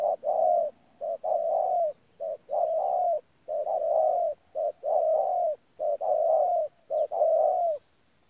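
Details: Spotted dove used as a caged decoy, recorded in Tumorong on 14 January 2019, giving its thổ call mixed with gù: paired coos, a quick short note then a longer soft falling one, repeated in groups with short gaps.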